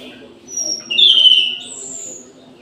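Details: Orange-headed thrush singing at midday in an aviary: a loud, bright whistled phrase around the middle with thin high notes above, over a faint low background hum.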